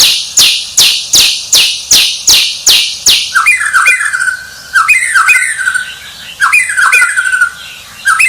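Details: Champion white-rumped shama starting with a regular series of loud, harsh downward sweeps about twice a second, then switching to sweet, fluty whistled phrases with rolling, slurred notes and short pauses.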